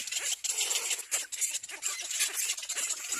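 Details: Little black cormorant chicks at nests as an adult comes to feed them: dense, harsh, hissing rasps in rapid overlapping bursts, several birds calling at once with no pauses.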